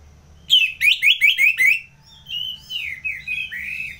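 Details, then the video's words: Orange-headed thrush singing ngeplong in North Bali, Indonesia, as a trigger recording for contest birds: five loud, rapid, downslurred buzzy phrases, then a softer sequence of sliding, descending whistles. "ANIS MERAH Ngeplong"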